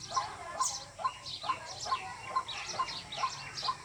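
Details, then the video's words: White-breasted waterhen call used as a lure for bird hunting: a steady series of short, clipped mid-pitched notes about two per second, each with a faint higher overtone, over a quiet background hiss. "Jal murgi Ki Awaz water hin || ডাউক পাখির ডাক। Waterhen Bird Call।"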